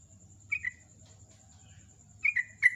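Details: Sooty-headed bulbul giving its morning song in the chattering ngecruk style: short, bubbly, mid-pitched phrases of two or three notes, then a pause of about one and a half seconds before more notes.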